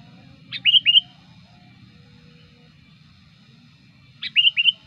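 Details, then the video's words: Sooty-headed bulbul calling to lure wild bulbuls: two identical short phrases nearly four seconds apart, each a sharp high note followed by two quick liquid whistles, over a soft low hum. "suara pikat burung kutilang gacor ampuh"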